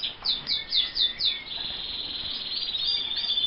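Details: Roller canary in a breeder's aviary in Montana: a few short high repeated notes about four per second lead into a steady, sustained high rolling trill, with a soft room hum underneath.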